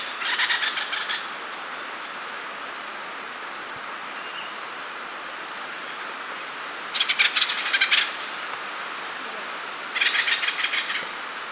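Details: Acorn woodpecker giving three separated bursts of fast, rattling, harsh pulsed calls, each about a second long and spaced several seconds apart, over a quiet outdoor background.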